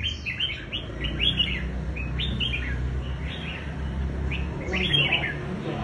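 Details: Red-whiskered bulbul showing its fighting style: short bursts of loud, bubbly whistled phrases of three to five notes, given every second or so, over faint low background hum.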